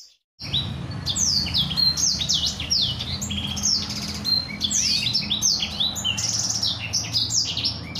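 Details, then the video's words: Black-throated canary singing a master song meant for canaries to learn, described as rolling: after a brief silent start, quick high downslurred whistles and buzzy trills flow continuously over a low background hum. "Terbukti Kicauan Blacksang Gacor Ngeroll, Paling Digemari Dan Mudah Dihafal Kenari Manapun"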